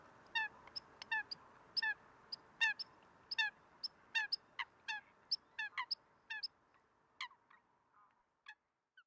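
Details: Eurasian coots in Greece in winter, February 2023, calling in a busy series of quick, sharp, nasal notes, sometimes overlapping, which thin out and fade over the last second or two.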